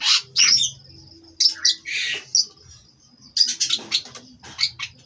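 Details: Captive Oriental magpie-robin of Cirebon stock singing rasping buzzy phrases mixed with sharp whistles, pausing briefly between bursts, with a steady high background tone and faint low room hum.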